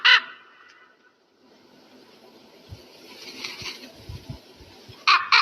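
An eagle gives short, harsh, ringing screams at the start and again near the end, with a quiet stretch of rustling and soft low thumps between.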